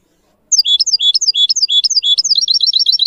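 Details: A goldfinch song used for teaching goldfinch mules and canaries to sing: a fast, tinkling twitter of high, liquid notes, rolling into quicker trills toward the end, with no other sounds.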